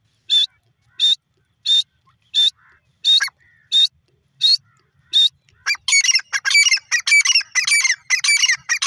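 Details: Grey francolin calling: a steady run of loud, harsh notes roughly every 0.7 seconds, then breaking into a rapid, dense chorus of ringing, rasping calls.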